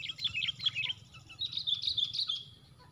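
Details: Sooty-headed bulbul in a four-against-one fight, heard during bird trapping. Quick scratchy chattering notes lead into a brighter, denser rattling run before fading. A low background rumble continues throughout.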